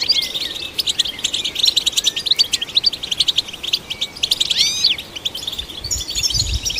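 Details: Goldfinch song used to stimulate other goldfinches, a fast liquid twitter of tinkling chirps, short buzzy trills and sweeping downslurred whistles, steady and unbroken, with a faint low rumble at the end.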